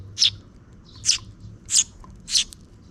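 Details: Near dusk, a parent sparrow feeds two chicks, which give four short, high, squeaky chirps spaced about half a second apart against a soft low hum.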